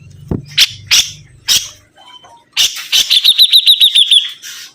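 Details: Energetic sibuntung bird song: several loud clicking knocks and a low hum open, then a rapid series of about ten high, ringing repeated notes follows, evenly spaced.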